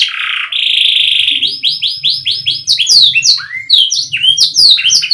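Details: Canary song opening with a steady buzzy roll, then a series of upswept whistled notes about five a second. Sharp, high, chirping slurs follow, over a faint low hum.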